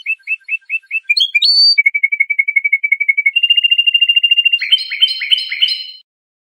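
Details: Training song of a European goldfinch of the Iranian Lor style, meant for teaching young songbirds; short repeated chips, a rising slur, extended fast trills on steady pitches, then harsh buzzy repeated notes, nothing else audible.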